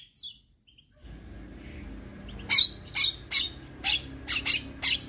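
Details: Male Javan myna singing, used to prompt other mynas to learn sounds: after a quiet start with a brief faint whistle, a run of harsh, clicking broadband notes repeats roughly twice a second, with a low background hum.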